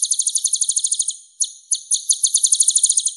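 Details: A purple-throated sunbird (Leptocoma sperata), or kolibri ninja, delivers a clear masteran song: a quick high trill, a pause broken by several sharp notes, then the rapid trill resumes.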